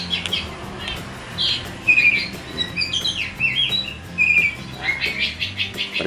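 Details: Caged Oriental magpie-robin, described as nervous and being trained for competition, responds at once to a magpie-robin recording. It gives sharp whistled phrases, short rising and falling slurs and thin high notes in irregular bursts, over sharp clicking noises and a low background hum.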